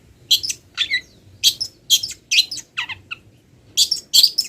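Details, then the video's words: Long-tailed shrike, still moulting, pours out a mimicry song of wild-bird phrases: loud harsh chattering bursts and bright whistles about two per second. One falling scratchy slur breaks in midway. "MASTERAN CENDET FULL ISIAN BURUNG LIAR"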